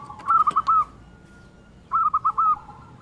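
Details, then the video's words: Local zebra dove, an active singer with a big 'kung' voice, recorded to prompt other doves: two short phrases of four quick, clipped coo notes each, about one and a half seconds apart, over faint hiss. "Perkutut Lokal Gacor Suara Kung Besar Pancingan Burung Perkutut Agar Bunyi"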